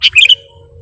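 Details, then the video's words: A single sooty-headed bulbul (kutilang) phrase in lure style: an abrupt bright note running straight into a quick, bubbling, liquid flourish, with quiet hum afterwards. "KUTILANG PIKAT || BURUNG LEGEND FULL ISIAN DAN GACOR"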